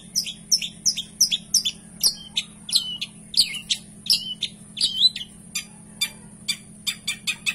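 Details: Long-tailed shrike (cendet), a kept songbird, delivering fast high chirps and twittering phrases, then a run of brisk clicking notes near the end, all over a faint steady low hum.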